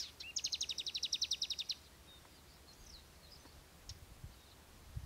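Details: Palestine sunbird, known locally as sudud, singing a fast even trill of about fifteen high, sharp notes lasting over a second, followed by a few faint thin notes against a steady background hiss.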